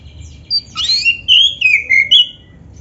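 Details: Black-breasted oriental magpie-robin in rich song with imitated phrases, used to stimulate other magpie-robins to sing: a rising sweep of high whistles, then a string of clear notes stepping down in pitch, closing with a short upward note.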